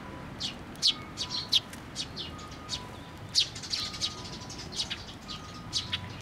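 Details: Young sparrows flying in to take food from a pillar at a Tenmangu shrine on 25 May 2024; short, high, sharp chirps come irregularly, some in quick pairs, over faint steady background tones and a low hiss.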